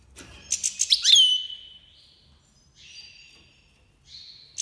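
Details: Iranian goldfinch (Goldfinch Major) singing during the 2022 breeding season: a quick run of clipped twittering notes leads into a drawn-out slurred whistle, followed by quieter buzzy, nasal tones and a final sharp note.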